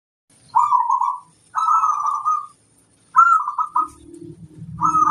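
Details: Zebra dove of local stock singing energetically as a master bird: three rapid, purring, trilled coo phrases in close succession, then a fourth beginning over a low humming noise.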